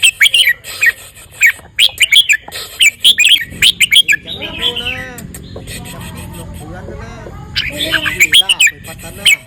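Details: Red-whiskered bulbul delivering quick bursts of clear, chirping whistles, with a quieter middle stretch dominated by human voices before the bird resumes.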